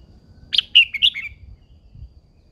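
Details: An old wild female red-whiskered bulbul gives one quick, bright phrase of four or five chirpy, slurred notes that drift slightly downward, over a faint low rumble.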